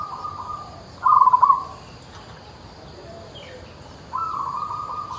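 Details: A local zebra dove (perkutut) gives soft, low, bubbling coos in short rolling phrases, with a pause between bursts over faint background hiss.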